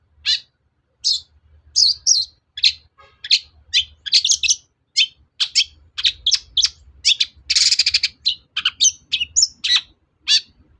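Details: Long-tailed shrike singing, used as a lure to rouse other captive shrikes into responding: a dense string of sharp, scratchy, high chirps and harsh buzzy notes, including one broad noisy burst, over a soft low hum.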